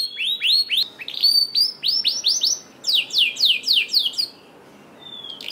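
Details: Canary singing, played to coax reluctant pet canaries into song: repeated upward-hooked whistled notes in bursts, followed by bright descending sweeps and a brief pause before a final phrase.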